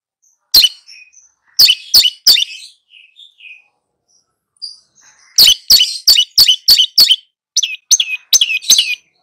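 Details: Long-tailed shrike singing vigorously while tutoring two young birds: sharp, explosive chips in quick bursts, a first group of four, a pause with faint soft twitters, then a dense run of rapid clipped notes and slurred whistles.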